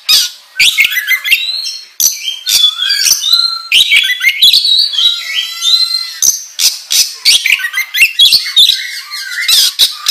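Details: Oriental magpie-robin pouring out 'gacor ngobra' song for luring other birds to sing: grating squawks and buzzy bursts alternate with quick whistles and a stretch of stacked, wavering tonal notes midway.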